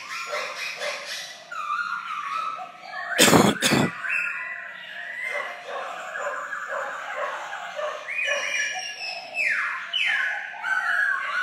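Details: A kept black-throated laughingthrush sings and dances at its peak, pouring out a rich, varied song of slurred whistles and chattering phrases broken once by two sharp knocks.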